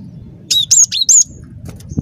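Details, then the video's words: Cinereous tit singing persistently, recorded as a trapping lure: four loud piercing whistles in quick succession, each sliding down from very high to high pitch, then a short thin high note after a pause, with soft low background rumble. "Suara Burung Glatik Batu Gacor"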